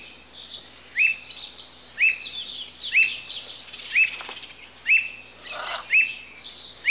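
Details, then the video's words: Squirrel cuckoo: a sharp clipped upslurred whistle repeated roughly once a second, seven notes in all, over a steady high chatter of other small birds. "Canto da Alma de Gato"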